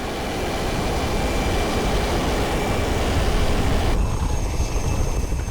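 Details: Loud, continuous engine or vehicle roar drowns everything, and no animal can be picked out.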